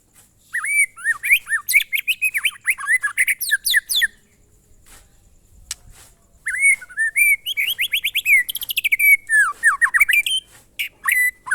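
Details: White-rumped shama, murai batu, singing a monotonous song style known as glondong: rapid strings of sharp slurred whistles and high chips in two long bursts separated by a few seconds of near quiet.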